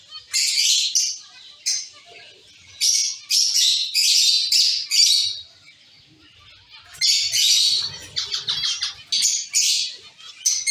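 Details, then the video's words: A caged colony of zebra finches calling in clustered bursts of rapid, sharp high notes separated by short quieter spells. "Zebra finch sound & activities"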